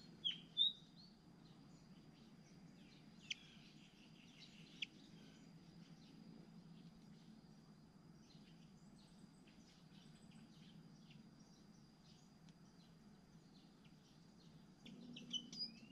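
Hungry Malaysian pied fantail nestlings give thin, high squeaky begging calls in short bursts.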